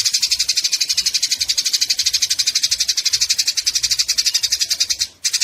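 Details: Continuous shrill chattering of fighting Eurasian tree sparrows, quick repeated pulses about four per second, with a brief dip near the end.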